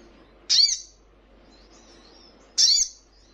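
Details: Little spiderhunter training recording meant to make caged birds reply: two sharp, high, downslurred chips about two seconds apart over quiet background.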